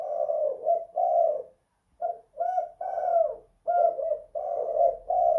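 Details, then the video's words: Spotted dove kept in the house, giving the kuk 2 / guk 1 song. Continuous hoarse coos in linked phrases, broken by two brief gaps, with a faint low hum underneath. "Tekukur kuk 2 / guk 1 in the house"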